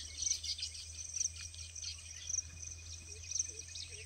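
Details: Male breeding baya weavers at Pabe ghat, Pune, Maharashtra, India, in the early morning of July 2022, give a busy, high chatter of short chipping and wheezy notes in quick bursts, over a thin hiss and low hum.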